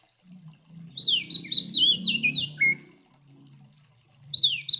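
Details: Oriental magpie-robin giving aggressive fighting song used to goad other magpie-robins: a burst of rapid, high slurred whistles ending in a lower rasping note, then a fresh phrase starting, over a steady low murmuring background.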